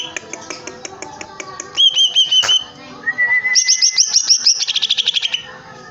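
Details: Caged greater green leafbird singing energetically: a run of rapid high chips, then clear whistled phrases that slide and warble, a sharp knock midway, and a fast, bright trill of repeated notes near the end.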